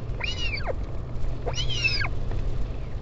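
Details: Northern royal albatross, parent visiting chick, Taiaroa Head colony near Dunedin, New Zealand, 16 July 2019: two loud arched, slightly nasal wailing calls about a second apart, over low wind rumble.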